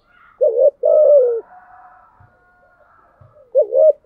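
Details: Spotted dove cooing thúc gù style: a quick wavering note and a long gently falling coo, then a pause with a faint steady tone before the next wavering note.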